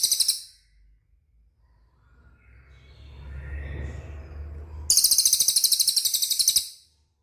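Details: Cililin song for training caged birds to respond: a short high trill ending, a rumbling low noise, then a loud rapid pulsed trill lasting nearly two seconds before silence.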